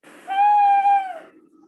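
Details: Tawny owl song played back from a recording, described as much more melodious: a single long, steady, clear hooted note of about a second, with no other sounds.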